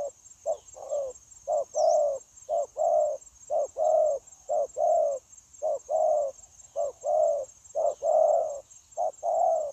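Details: Tame spotted dove used as a lure for trapping wild doves, recorded 9 January 2024, cooing persistently: evenly paced, low rounded notes, short clipped ones followed by longer drawn ones, repeated about once a second.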